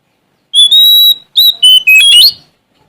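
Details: Oriental magpie-robin of the Sumatran kind, singing strongly to seek out rivals: one long level whistle, then three quick whistled phrases, the last rising and twisting into a bright upward slur.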